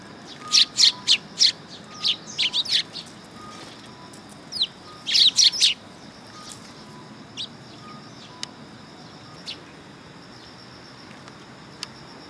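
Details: Sparrows visiting a perching stand at a Tenmangu shrine on 3 September 2022: quick bursts of shrill chirps in the first half, then only scattered soft ticks and chirps amid quiet.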